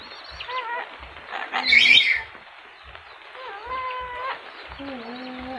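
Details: Talking yellow-crested cockatoo: short harmonic word-like utterances, a harsh noisy burst partway through, then level, drawn-out voiced tones, over soft repeated low taps.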